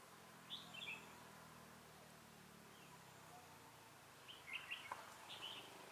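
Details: Red-whiskered bulbul singing during trapping, a decoy luring wild birds: two brief bursts of quick, bright warbled notes separated by a few seconds of quiet, with faint low rumble and background noise.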